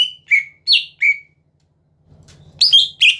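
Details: Four clear whistled notes from a greater green leafbird, each a sliding, partly falling tone, then a brief lull with a faint rustle and three louder, richer chirps. The song is meant to lure rival birds into singing.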